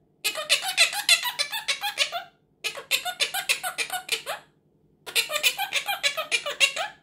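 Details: Pet Quaker parrot talking in a small room while learning the phrase "tickle tickle". It gives three bursts, each about two seconds, of rapid, squeaky, giggle-like syllables separated by brief silences.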